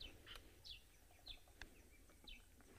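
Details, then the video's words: On an afternoon safari drive on 7 February 2024, a small bearded woodpecker, unseen in a tree, calls with faint, sharp, high downslurred notes every half-second to second over a low rumble of engine or wind. "I even heard a bearded woodpecker there. Huh? Did you hear that?"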